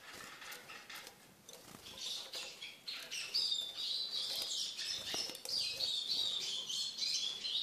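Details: Caged Eurasian siskin, a tamed bird that eats from its keeper's hand, giving fast twittering song that grows into a steady high, buzzy warble after a few seconds of soft clicks and rustling.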